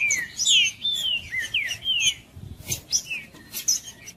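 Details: Green-winged saltator song meant to warm up a cold bird: loud whistled slurs, some rising and some falling, in quick succession, then scattered high chirps and a sharp noise burst near the middle.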